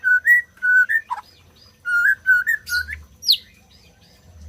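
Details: White-rumped shama song played to stimulate silent birds to sing: clear repeated two-part whistles, steady then rising, delivered in a regular series and broken by a few sharp high notes.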